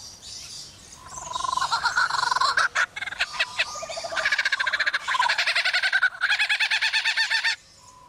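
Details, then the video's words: Lyrebird imitating construction noises: bursts of rapid, mechanical, rattling pulses like power tools, repeated several times a second in long runs with short pauses, over a quiet background. "Lyrebird making construction noises"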